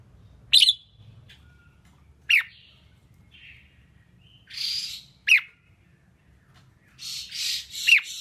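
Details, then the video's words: Female red-whiskered bulbul singing to stir up males for competition training: four short, sharp, downward-swept chirps spaced one to three seconds apart, mixed with bursts of broad rustling hiss. "Kích chào mào mộc hót! Tiếng chim chào mào yếu lửa hót không đè"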